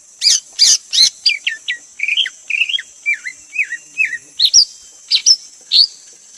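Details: Varied song of a Greater green leafbird: sharp high chips, then a rolling series of twisting, wavering whistles and swooping notes, repeated at an even pace, with a continuous high-pitched background hum.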